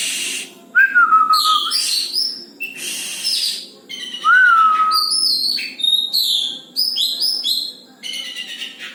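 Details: Caged Oriental magpie-robin singing well: a clear whistled note falling in pitch, repeated twice, between busy clusters of high chattering and buzzy phrases with short gaps.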